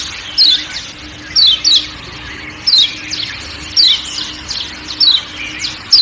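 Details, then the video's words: Lombok white-eye (kecial kuning) calls: bright, quickly falling chirps, single or doubled, spaced roughly a second apart, with a faint constant drone of forest sound behind. "Kecial Kuning Ciak Ciak Dan Suara Hutan"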